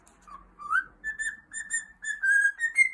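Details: Singing pet cockatiel giving a run of clean whistled notes, starting low and rising, then held steady tones in quick succession, ending on a higher whistle, in a quiet room.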